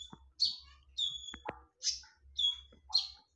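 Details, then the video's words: Brief burst of sharp, loud konin lure song: five high ringing notes alternating with flat whistled tones, under a faint low hum. "SUARA TAJAM DAN NYARING / BERANI DENGARKAN SUARA PANCINGAN KONIN INI??"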